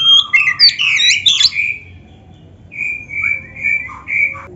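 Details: Oriental magpie-robin with a fill-in style song meant to draw answers from other magpie-robins: a jumbled flurry of high chirps and whistles, then several drawn-out, even whistled notes repeated roughly every half second.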